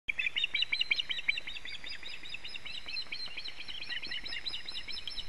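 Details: Osprey at its nest in Latvia on 4 July 2017 around 12:12, with a wet fish, gives a quick series of high, thin whistled chirps, loudest at first, then softer repeated notes.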